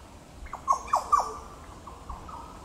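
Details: At Goomboora Park, Cairns, Queensland, Australia, on 9 September 2022, a Yellow Oriole utters a quick phrase of three liquid downslurred whistles, trailed by several softer faint notes.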